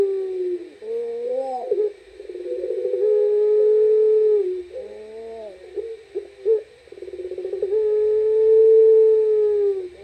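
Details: Night-time puter pelung coo: rolling throaty opening notes lead into long steady hollow tones, repeated in phrases a few seconds apart, close and clear.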